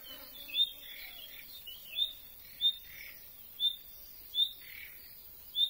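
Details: Common nightingale giving an unusual non-song call; the bird was hidden and showed itself only for seconds. Thin, high, whistled notes repeat about once a second, while softer chirps from other birds sit in the background.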